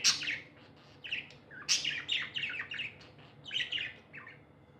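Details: Happy pet budgies chirp in clusters of short scratchy, squeaky notes, each burst followed by a brief quiet gap, loud and close.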